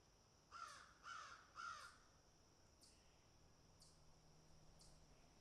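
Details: Feeding crows picking and eating: three harsh, grating caws in quick succession open, followed by soft scattered clicks and ticks from pecking at food.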